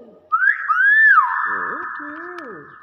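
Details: A talking pet common hill myna gives two quick rising whistles, then one long, steady whistled note, with low voice-like syllables following underneath.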